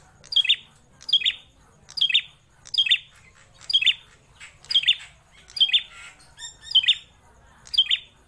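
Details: Caged grey prinia, locally called prenjak klawu, kept in captivity for over four years and singing persistently and loudly: sharp, bright chirps with a downward sweep, repeated about once a second, nine in a row against a quiet indoor background.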